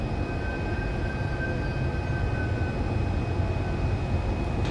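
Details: Heavy low droning noise with a faint thin steady whine, like machinery or traffic, and no bird song.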